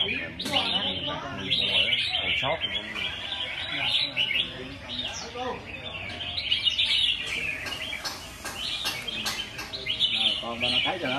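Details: Red-whiskered bulbuls at a live singing competition: dense, overlapping bursts of bright warbled chirps and short whistled phrases run throughout, with several men talking in Vietnamese over the birds.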